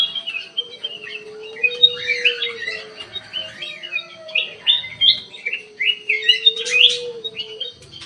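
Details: Black-crested bulbul singing in an aviary: a busy run of chirpy, warbled phrases with quick rising and falling notes, several bursts over eight seconds, over a steady low hum.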